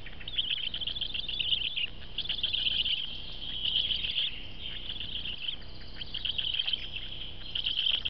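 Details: Newborn black stork (Ciconia nigra) chicks give thin, high chirping in rapid bursts, almost without pause, over a faint low background rumble.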